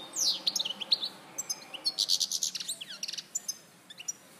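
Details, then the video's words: [8, 'Goldfinch in Larache, 2014, singing a fast sequence of sharp sweeping chirps, a grating buzzy section around the middle, and trailing twittered notes.'] "Jilguero Larache 2014"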